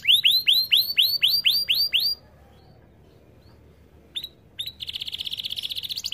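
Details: A canary, on a lure recording meant to prompt canaries to sing, gives a fast series of about nine bright, downward-sweeping chips, pauses, then breaks into a rapid buzzy trill.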